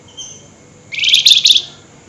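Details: Agitated flameback at night giving a single loud nyerecet rattle, a rapid, dry, buzzy trill lasting under a second after a quiet lead-in.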